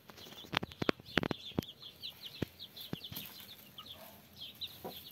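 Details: Broody hen with a brood of 33 chicks: a steady chorus of high, thin chick peeps, many each second, broken by sharp, loud clucks and knocking sounds in a farmyard setting.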